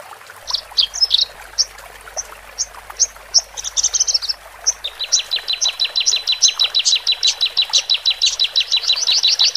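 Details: Male and female Horsfield's bush larks, song played to ease newly separated birds into a cage; scattered high chirps and a buzzy burst, then a long rapid series of sharp repeated notes, about three per second.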